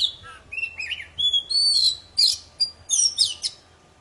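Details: Energetic poci song meant to coax silent birds into singing: clear high whistles, a long sustained note, then sharp rising and falling slurs and bursts of scratchy chirps in rapid phrases.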